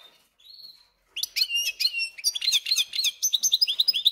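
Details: Captive European goldfinch × canary hybrid singing indoors: after a faint thin note, a fast, varied run of high chirps, trills and sweeping whistles begins and continues without pause.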